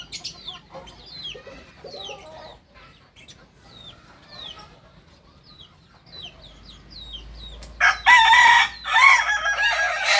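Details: Kukuak balenggek rooster, a singing chicken breed from Solok, West Sumatra: small birds chirp in short high sweeps before a loud, harmonic, stepped crow bursts in near the end.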